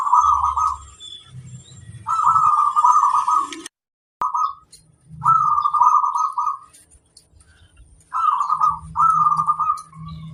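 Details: ['Local zebra dove song meant to train other doves to sing sooner: repeated short bursts of fast, purring trilled coos at a steady mid pitch, separated by pauses, over a low rumbling background and a few clicks.']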